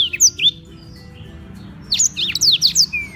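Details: Black-throated canary tutor bird in Beng, Gianyar, Bali gives a few high chirps, pauses for over a second, then resumes with a quick series of sweeping whistled notes.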